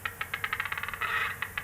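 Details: A displaying male western capercaillie at a dawn lek site with a small mound among pine plantings gives dry separate clicks that speed into a rapid rattle, merge briefly into a rough, grinding trill, then break back into single clicks.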